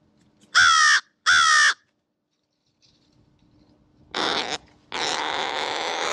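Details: American crows at a seed bowl: two loud, drawn-out hoarse caws, then after a pause two rougher, broader, grating calls, the last one long and sustained.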